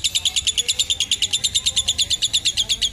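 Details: Caged lovebird singing a long ngekek trill, used as a tutor sound for young birds: a rapid string of sharp, high chattering notes, about seven per second, steady and unbroken for three seconds.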